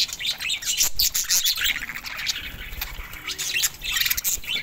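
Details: Budgerigars chatter in a dense stream of bright, scratchy chirps and warbled twitters while mating.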